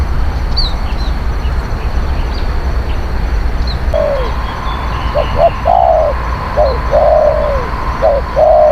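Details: Spotted dove kept as a decoy for luring wild birds, a fierce, skilled cooer, starts after a few seconds of low rumble with a falling coo, then quick clipped notes and longer mellow coos, faint chirps above.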